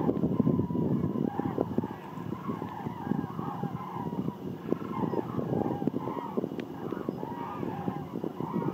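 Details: A southward-migrating flock of common cranes over Landgraaf, Netherlands, on 13 November 2022 gives overlapping, rolling trumpeted calls in a steady chorus, over a low rumble of wind or distant traffic.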